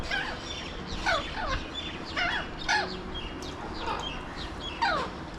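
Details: Alexandrine parakeets, known locally as mountain or pahadi parrots, watched from a window in Mumbai, India: loud harsh screeching calls that sweep downward, given in bursts about once a second, with faint chirps of other birds behind.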